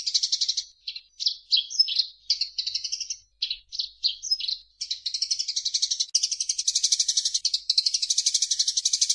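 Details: Eurasian tree sparrow song meant for training songbirds: a string of varied chirps and short twittering phrases, then a long, steady, rapid buzzy trill fills the second half.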